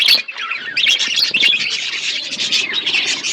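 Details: Budgerigars in a flock, eating food, give a busy stream of high chirps, squawky notes and warbling twitters layered over one another throughout.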